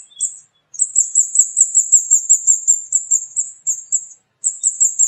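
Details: Flowerpecker (burung cabai) chattering vigorously: after one opening note comes a long, fast sequence of high, piercing 'cit' notes, then a pause and a fresh burst at the end.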